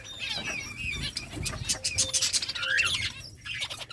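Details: Breeding budgies in summer, playing and chirping: steady mix of squeaky whistles, rising notes and scratchy chatter from several birds, moderately loud over faint rumble.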